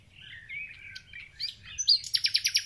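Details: Thrush nightingale song at the onset of spring: a quick jumble of varied whistles and chirps accelerating into a loud run of sharp repeated notes, about eight in under a second.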